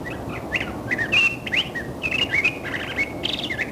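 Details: Curve-billed thrasher song, a varied and pretty phrase of short whistled and slurred notes, some rising and some falling, with one longer steady whistle, over a steady low background hum.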